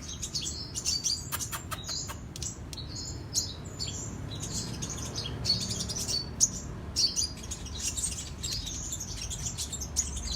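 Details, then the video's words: Sunbird (kolibri raja, king konin) singing vigorously in cetrekan style: dense, rapid high-pitched twittering and sharp chirps with clicking notes, overlapping phrases throughout, over a low steady background rumble. "Kicau Kolibri Raja KING KONIN Gacor cetrekan"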